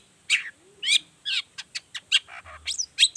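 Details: Long-tailed shrike lure song, 'gacor toet toet' variation meant to get other shrikes singing: a quick run of sharp, high chirps and short rising notes, about a dozen in three seconds.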